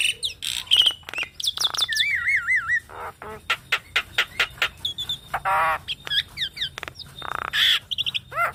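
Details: Javan myna song played to train and stir kept mynas: rapid chattering bursts, a wavering whistled trill, harsh rasping squawks, and short upward whistles repeated among loud staccato notes.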